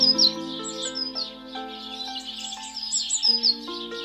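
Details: House sparrows in a family group at a garden feeder, said to often exclude blue tits; bright, high chirping notes in quick bursts, with prominent instrumental music underneath.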